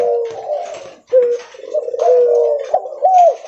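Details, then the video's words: Leopard-variety spotted dove cooing loudly while walking: a run of low, wavering coos with short upward-slurred notes, close and somewhat muffled, with slight room echo. "Suara Derkuku Leopard Volume Besar Super Gacor Bunyi Sambil Jalan"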